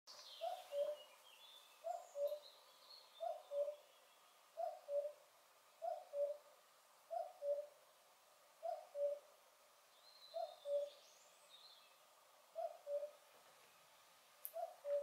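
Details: Common cuckoo singing in a landscape with some Atlantic influence in northern Cáceres, Spain: a steady series of about ten low, falling two-note cu-coo calls, one roughly every one and a half seconds, with faint high chirps of other birds behind.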